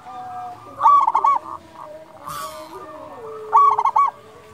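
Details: Loud local zebra dove, used to coax other doves into song; two bursts of fast, rolling coo notes about two and a half seconds apart, with a short rustle and soft distant cooing between.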